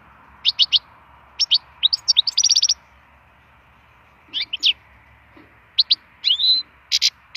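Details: Wild European goldfinch song for stimulation: clusters of sharp, high chirps and a quick rattling trill, then scattered twitters and one slurred, rising note, broken by brief pauses.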